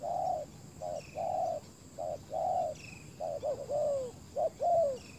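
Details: Decoy spotted dove on the ground calling to attract wild doves; short clipped coos alternate with longer drawn-out ones, the pattern turning uneven near the end with overlapping, slightly falling notes and a few distant thin chirps.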